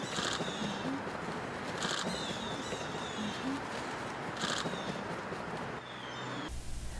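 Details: A wood stork, nearly mute because of a poorly developed vocal organ, snaps its bill at a nesting rookery in St. Augustine, Florida: three short, dry clattering bursts about two seconds apart, over constant chatter and thin whistles from other birds.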